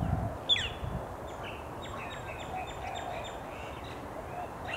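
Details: Male Australasian figbirds in late July 2017 at Hawthorne Canal Reserve, a popular Sydney, NSW recreation area, calling with one sharp falling whistle followed by busy, repeated high chattering notes over a low background hum.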